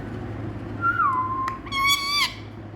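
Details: Rose-ringed parakeet known as a talking Indian parrot. It gives a single falling whistle that settles into a steady tone, then ends with a harsher, rich-toned note full of harmonics. A low hum runs throughout.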